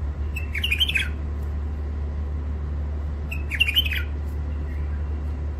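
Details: Wild-caught first-moult birds from the Mandali crossing area give two quick, sharp chirping phrases about three seconds apart, each a tumbling cluster of bright notes, against a steady low mechanical hum.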